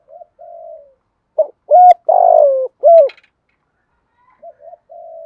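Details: Decoy spotted dove gives a low, hoarse cooing phrase of several hooting notes, softer introductory coos then louder ones, repeated; no other clear sounds.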